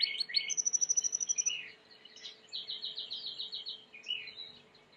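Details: Timbrado canary, white canary, singing for training: a fast series of repeated chirps, then a high thin trill and a run of quick evenly spaced notes, with faint background hiss.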